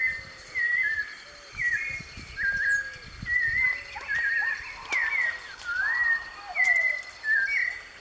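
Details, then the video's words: Free-living white-necked thrush in a live natural recording, delivering clear whistled phrases about once a second, some looping, some falling, while a lower whistled note and faint clicks sound in the background. "SABIÁ DE COLEIRA,LIVRE NA NATUREZA,GRAVAÇÃO AO VIVO"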